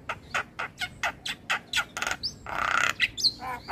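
A Javan myna gives a fast run of harsh, scratchy chattering notes, about four a second, then a loud raspy burst and a few sharp whistles.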